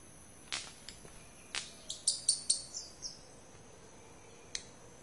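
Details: Red-capped manakin dancing on a branch gives sharp snapping clicks with a few thin, high squeaks, spaced irregularly over a few seconds, against a quiet forest background.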